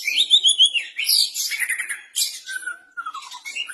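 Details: Practising captive white-rumped shama delivering a quick run of whistled notes, then a harsh buzzy burst and a long, clear whistle slurring downward, followed by softer chirps.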